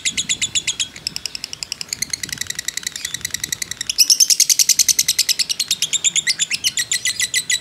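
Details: Long ngekek from a fighter-type lovebird, kept as a lure recording: a fast, scratchy, high chatter that runs unbroken, swelling noticeably louder and shriller halfway through, then continuing as evenly spaced rasping pulses.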